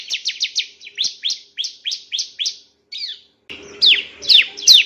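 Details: Male bar-winged prinia on a master recording for training other songbirds: quick repeated downward chirps, a short gap, then louder, harsher notes over a low background hum.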